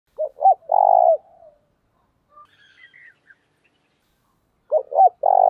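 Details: Decoy spotted dove giving its provoking and calling coo: two short hooked notes followed by one long, drawn, falling coo, about one second in all. The phrase is repeated after a pause of about three and a half seconds, with faint soft notes between.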